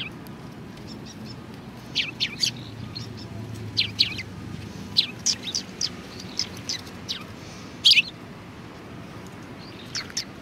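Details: A flock of sparrows at a Tenmangu shrine in February 2020 chirps busily, with quick high notes tumbling one after another for several seconds against a soft low drone.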